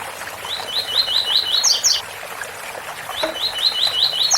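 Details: Double-collared seedeater song in the tui tui bitola style with a waterfall behind: two bursts of rapidly repeated swooping whistles, each closing with sharp high buzzy notes.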